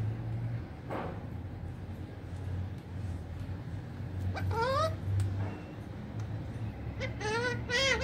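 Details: Rose-ringed parakeet kept at home and speaking Urdu/Hindi: after a quiet stretch with one faint note, two bursts of quavering, rising harmonic syllables, like a garbled word, stand over low rumbling background.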